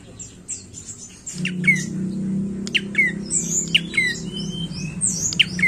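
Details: Prinia's harsh, squeaky notes repeated in quick clusters, with sharp downward-swept chirps and higher buzzy trills over a constant low droning hum.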